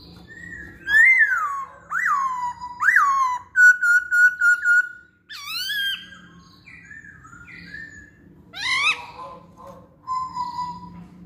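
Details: Masked laughingthrush singing as lure material for other songbirds: loud rising slurred whistles, a string of short level notes, upswept calls, and softer varied whistles later.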